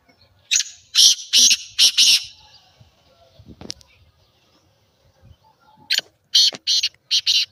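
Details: Black francolin call, offered so that kept francolins respond and call more: two loud series of four harsh, buzzy, broadband notes, the first early on and the second near the end, separated by a quiet stretch with faint low sounds.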